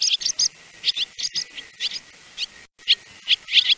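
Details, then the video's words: Swallow uttering rapid high twittering chirps in loose bursts, some doubled, with a brief silent gap near the end before more sharp squeaks follow. "swallow sounds /swallow birds sounds /swallow /"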